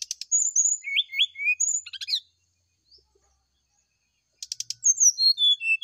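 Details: A brown-chested jungle flycatcher sings in the morning to coax a reply. It gives high slurred whistles and twisting upswept notes mixed with crackling rattles, then pauses and begins again with a descending whistled run.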